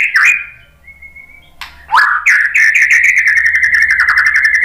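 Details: Provoking song of a white-rumped shama, opening with sharp whistles and a thin held tone, then breaking into a long rapid chattering rattle.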